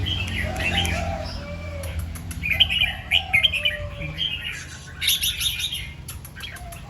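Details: Red-whiskered bulbul singing in the morning, its song doubled two to three times with 'rik' singing. Short whistled phrases come through over a steady low rumble, with faint chirps from other birds.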